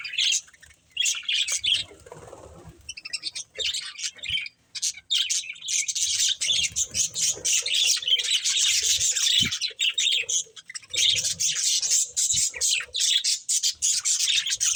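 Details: Pet budgerigars at play: after a quieter, sparse opening, a steady stream of rapid, buzzy chirps and warbles builds and runs almost unbroken for the last ten seconds, with a few soft low thumps.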